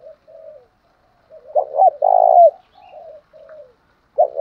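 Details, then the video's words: Spotted dove coo used as a lure to provoke rival males: soft low coos lead into a louder double note and a long, buzzy, slightly falling coo, with another loud phrase starting at the end. "tiếng chim cu gáy kích bổi giọng gáy hay mới"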